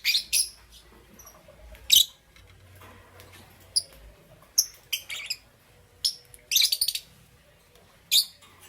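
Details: Pet lovebirds, Parblue Euwing Green Opaline and Green Opaline colour forms, in the morning: sharp high chirps in short bursts every second or so, some doubled, with quiet gaps between.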